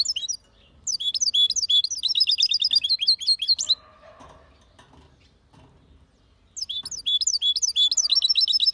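A goldfinch and canary hybrid sings rapid, bright twittering phrases with sharp high notes and liquid trills.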